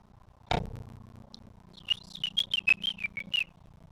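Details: House finch singing outdoors on a morning in a backyard, with mourning doves and spotted towhees nearby: a brief run of about nine bright, whistled chirping notes in quick succession, preceded by a sharp knock.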